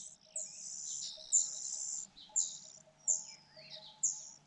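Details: Nestling Fujian niltavas calling for food as the mother bird feeds them, giving high, thin, drawn-out squeals and sharp chirps roughly every second over a faint steady hum.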